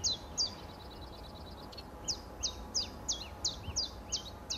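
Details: Common chiffchaff singing: high, sharp, downward-sliding notes repeated about three times a second in an uneven chiff-chaff rhythm, with steady low background hum.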